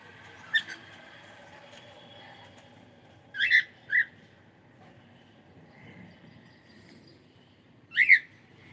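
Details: Cockatiel kept as a pet, giving sharp, bright chirps in spaced clusters, a single note then a doubled pair and a final burst, over a soft background hum.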